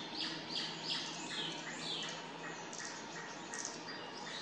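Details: Arctic warbler singing unseen among forest trees on 29 May 2022: short, bright, high chirping notes repeated about three times a second in loose phrases over steady background noise.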